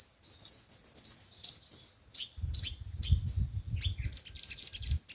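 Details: Sunbird song of five-colour and seven-colour types, used as speaker playback to trap birds: fast high chattering twitter opening, then spaced sharp chips over a low rumbling handling or wind noise.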